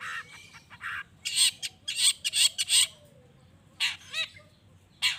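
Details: Long-tailed shrike in lively song used to provoke other shrikes into answering: harsh, broadband rasping bursts in irregular clusters, with faint thin whistles from other birds behind.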